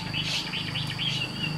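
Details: A caged Chinese hwamei, said to keep singing even while its cage is carried, sings a quick run of bright, clear whistled notes over a low, steady hum.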